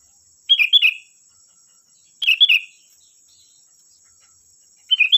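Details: Sooty-headed bulbul lure song to draw answers from other bulbuls: three quick phrases of bright, bubbling notes about two seconds apart, each falling slightly at the end; a constant faint high tone continues throughout.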